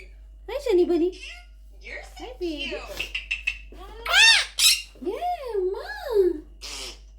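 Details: Talking pet monk parakeet in a small room: a run of speech-like phrases mixed with shriller, squawky syllables and undulating up-and-down pitch sweeps, almost continuous across seven seconds.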